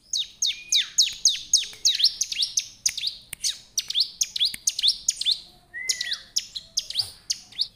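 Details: Vigorous song of a bar-winged prinia aimed at drawing out wild birds, a rapid run of sharp descending chips, roughly three each second, with one smooth whistled note slurring downward late on.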